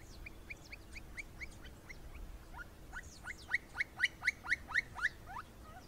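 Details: Campo Flicker (Colaptes campestris) recorded in the wild in Brazil, giving a rapid series of sharp, downslurred notes around two per second, louder and more insistent in the second half, over soft background hiss.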